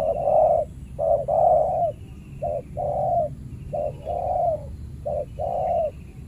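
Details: Aggressive territorial spotted dove in a banana plantation, provoked by a trained decoy dove while being trapped; strong mid-pitched coos, a clipped note followed by a drawn-out one, in irregular repeated phrases.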